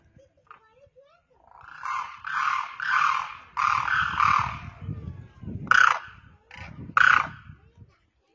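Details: Demoiselle crane, or karkara, on the ground calling to others overhead: a sustained run of rasping rolled notes for several seconds, then two sharp louder calls about a second apart.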